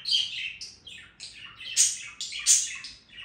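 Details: A budgerigar warbles continuously: quick slurred chirps sliding downward, buzzy chatter and a couple of brighter, sharper peaks.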